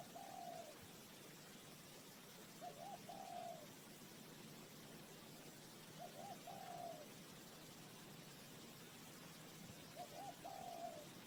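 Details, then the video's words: Spotted dove kept as a trapping decoy, cooing at a distance: a quick double note then a longer wavering coo, the phrase repeated four times about every three and a half seconds against steady hiss. "เสียงนกเขาใหญ่,Bird Trap,Tiếng chim cu gáy mồi chuẩn gáy gọi cực hay"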